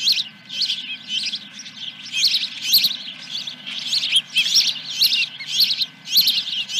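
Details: Osprey at the nest at Dunrovin Ranch on 10 July 2021, around 9:20 in the morning, with a fish brought in: a fast, uneven series of high, sharp chirps, rising and falling in bursts of several notes, over a steady faint hum.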